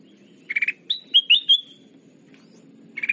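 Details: Golden bulbul (kutilang emas) lure song: a brief pulsed rattle followed by four clear, loud whistled notes, slurred and sliding, then another short rattle.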